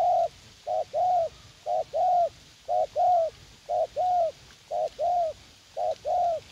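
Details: Caged young spotted dove used to lure rivals in a U Minh garden, eager to fight: a steady series of short hoots each followed by a longer purring coo, about one pair per second.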